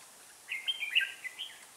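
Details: Red-whiskered bulbul used as a trapping decoy, giving a short, bright warbled phrase of quick chirping notes, rising and falling over about a second, against a quiet background.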